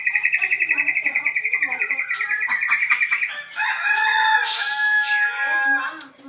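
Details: Caged bird bursting into song just after the cage cover comes off: a quick, even series of repeated ticking notes, then longer clear whistles and harsher buzzy phrases.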